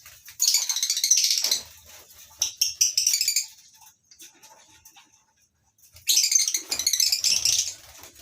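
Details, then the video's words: Lovebirds in a colony aviary at a small breeding farm in the morning, several species including yellow-collared and Fischer's lovebirds; two bursts of shrill, high chattering calls separated by a quieter gap with scattered squeaks. "Suasana Pagi Di Peternakan Burung Lovebirds Di Kandang aviary mini"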